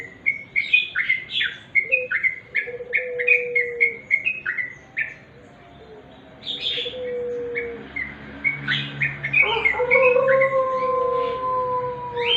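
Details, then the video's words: Sooty-headed bulbul singing in natural surroundings: rapid bouncy chirps early on, a quieter lull in the middle, then more chirps, with a sustained low whistle and its higher overtone near the end. "remang² trucuk.suara asli"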